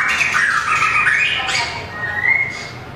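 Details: White-rumped shama, mini long-tailed bird singing in competition style; fluty whistled notes wavering and sliding, a sharp harsh burst midway, then a long level whistle gently rising at the end.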